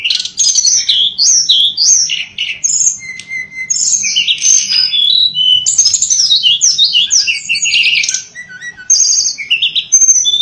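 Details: Shortwing called tledekan pring in full, rapid song with dense tumbling trills and high chirps that run almost without pause, and a brief lower whistle in the middle.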